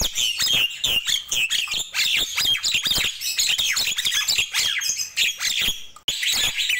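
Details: Nias hill myna singing energetically in the morning, a rapid torrent of whistles and harsh squawks with no real pauses, ending after a brief silent break.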